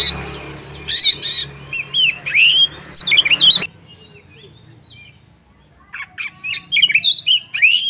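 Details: Oriental magpie-robin female calling a male to provoke other males; a rasping burst leads into varied whistled, slurred notes, a short pause, then another run of bright chirps and whistles.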